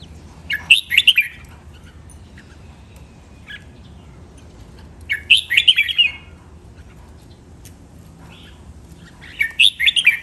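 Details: Red-whiskered bulbul singing training song in the len rik, nap dok, mae bot and lak wai styles. Three short, lively bursts of rolling, chirpy whistles come about every four to five seconds, with quiet gaps between.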